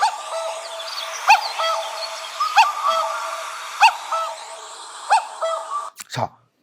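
A common cuckoo repeats its falling two-note "cuck-oo" about every second and a half, over a steady hiss with sharp clicks between the calls.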